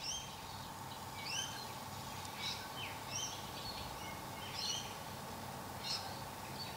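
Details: A masked lapwing in threat display gives very loud, sharp, strident, scratchy calls about once a second, over a steady droning hum and background noise.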